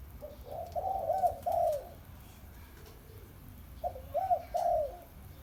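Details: Spotted dove heard at home on a holiday: two phrases of low, soft cooing, each a short lead note followed by three smooth rounded coos, with a quiet pause between phrases.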